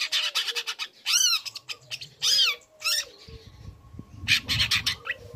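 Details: Young long-tailed shrike used to provoke other birds, giving quick high chirps, then loud arched rasping calls and a harsh burst, over a faint low hum.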